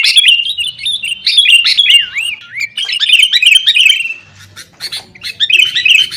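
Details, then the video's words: Lure recording of a fighting sooty-headed bulbul meant to set caged birds singing: looping, liquid whistled phrases that rise and fall, then busy overlapping chirps, a short lull and renewed warbling. "kutilang gacor TARUNG buat pancingan kutilang agar bunyi"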